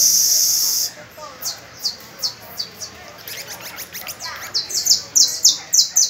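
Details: Canary song from a May 1 session in which young pupil birds practise with an adult: a brief high sustained trill, then a series of sharp, slightly descending chips that quicken and grow louder toward the end.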